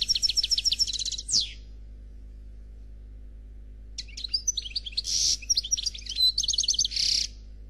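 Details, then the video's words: European goldfinch, Noir Khalwi type, singing a clean song: a short twittering phrase ends in a falling buzz, then after silence comes a longer run of rapid chirps, rattling trills and harsh buzzy notes, with a steady background hum. "Chardonneret Noir Khalwi Chant sans fautes"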